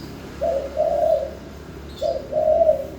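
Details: Spotted dove song: two soft, low cooing phrases, each a short note followed by a longer, slightly throbbing coo, about a second and a half apart, over quiet background hiss.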